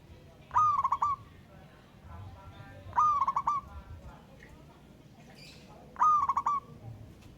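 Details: Wild local zebra dove singing to challenge a rival: three even coo phrases roughly every two and a half seconds, each a rising note then a fast broken run of short coos, with quiet background noise.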